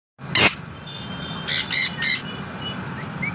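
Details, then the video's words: A talking African grey parrot (Psittacus erithacus) gives one harsh burst, then three quick, rasping, talk-like squawks about a third of a second apart, over faint background hiss. "Talking African Gray Parrot"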